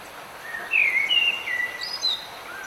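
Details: Songbird heard during rain, giving a series of clear whistled slurs that step upward, with a few higher twittering notes after, against a constant background wash of falling rain.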